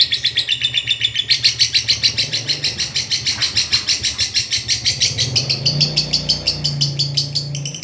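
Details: Lovebird 'ngekek panjang' training chatter: a continuous run of fast, buzzy, high-pitched pulses over a low background hum, with the rhythm holding steady for almost eight seconds.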